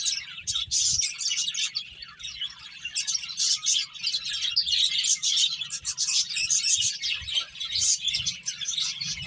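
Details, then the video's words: Finches eating and playing fill the air with constant, busy high chirping; many sharp short tweets overlap in rapid succession throughout. "Cute Birds Chirping Sounds | Beautiful Finches Eating and Playing"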